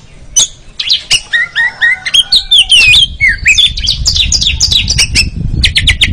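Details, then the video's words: White-rumped shama singing in a training recording for contest birds, stringing together rising whistles and rapid chattering notes that grow denser, over a low background rumble. "TERAPI KACER DAHSYAT I TERAPI KACER ANTI LEMOT MENTAL JUARA LANGSUNG NGERIWIK"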